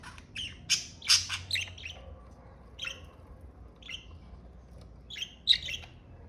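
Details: Scattered chirps and short raspy squawks from pet budgerigars, clustered at first, then single notes spaced a second or so apart.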